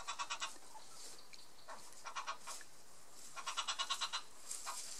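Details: Yellow-billed hornbill calling repeatedly, giving quick runs of hoarse, clucking notes, four to seven at a time, in bursts that build and fade, over a steady background hiss.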